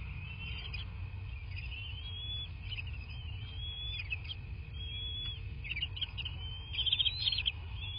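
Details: Nest-camera recording of a bald eagle at a southwest Florida nest, 23:19 on 13 March 2024: thin, drawn-out high whistles that rise slightly, broken by short chirpy notes, ending in a louder chittering flurry; constant low background hum.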